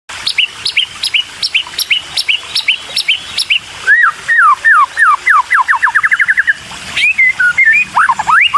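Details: White-rumped shama chicks, always hungry, begging while a parent feeds them; rapid, sharp chirps around two to four notes per second, some dropping in pitch, then quick descending slurred notes and a fast run of short calls.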